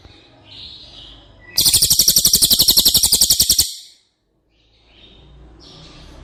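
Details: A cililin trill used to train caged White-rumped shamas: a loud run of quick, sharp, high-pitched repeated notes for about two seconds, then silence and faint distant high twitters.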